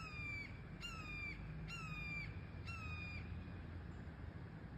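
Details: Baby red-tailed hawks at Sugar Beach, Leo, Indiana, utter four hoarse, harmonic screams that dip slightly in pitch, spaced about one second apart, against a constant low hum.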